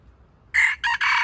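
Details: Bait junglefowl luring wild chickens toward a trap, giving a loud, rasping crow broken into three abrupt segments, the last held steady until it cuts off.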